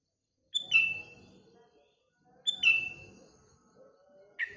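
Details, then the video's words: Sooty-headed bulbul singing in the morning among other surrounding birds: two short bubbly whistled phrases about two seconds apart, each a bright note dropping into a falling slur, with a low rustling murmur under the first. "Paduan Kutilang Dan Burung Sekelilingya"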